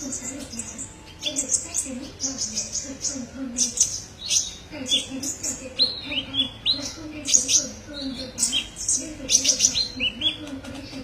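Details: Tutor recording of kolibri ninja, the olive-backed sunbird: continuous high twittering with sharp chirps and short trills, over a faint low warbling murmur.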